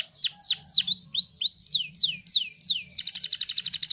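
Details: Master recording of a canary for tutoring other songbirds: loud high slurred whistles falling in pitch, several with softer upslurs, ending in a fast, bright rolling trill; faint low background hum.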